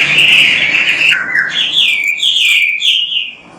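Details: Oriental magpie-robin song meant to stimulate other magpie-robins to sing: a steady sweet whistled warble, dipping lower, then rising into repeated bright slurred notes over a hissy background.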